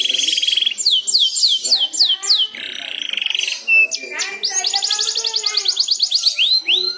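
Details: Canary youngster practising its ngeriwik song, set off by another canary singing; a buzzy note, a run of downward-sweeping whistles, chips, then a long fast rolling trill and closing slurred whistles.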